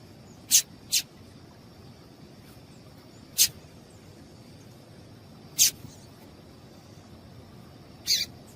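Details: Five quick, piercing high chirps from a female double-collared seedeater, the first two close together, then single notes every two to three seconds; a call used to excite a male, over a steady thin hum.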